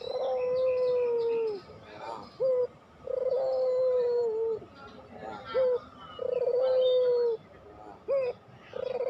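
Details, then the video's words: Puter pelung, a long-drawn cooing style, used as a lure and training recording to stir quiet doves to sing: three long, steady, low coos each followed by a short rising note, cycling every three seconds, with faint chirps behind. "masteran puter pelung"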